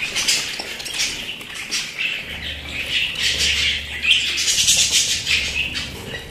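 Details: Continuous warbling chatter from pet budgerigars, bursts of rapid chirps and squeaky notes rising and falling in loudness, over a low steady hum.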